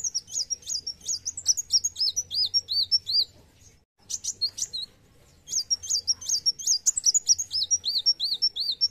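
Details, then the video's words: Olive-backed sunbird, fighting mood: long phrases of fast high slurred whistles and ticks, about two or three per second, broken by a pause and a burst of sharp chips, then resuming. "Kolibri wulung gacor fighter"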